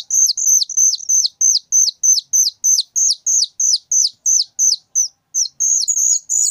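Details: High, insistent notes from a very loud whistling thrush chick, each hooking downward at the end, delivered in a fast regular series of about three per second, with a brief pause near the end.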